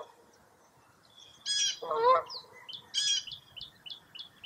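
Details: On a foggy early April morning at Mirror Lake State Park in Baraboo, Wisconsin, several birds overlap. A burst of raspy chatter and a lower harsh call are followed by a run of short, high, rising chirps.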